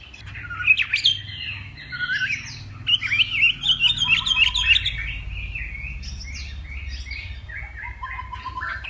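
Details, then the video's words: Hwamei of Northwest Vietnam singing in contest style at morning: loud looping whistled phrases and a burst of rapid repeated notes, then quieter rambling warbles over a low hum. "Hoạ Mi Hót Đấu /hoạ mi hót sáng luyện giọng kich bổi sổ giọng chim hót hay mỗi ngày/Họa mi Tây Bắc"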